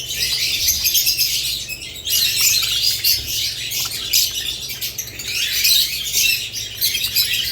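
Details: Continuous busy chatter of budgerigars, shrill chirps and warbled twitters layered thickly, pausing briefly near the two-second mark before resuming.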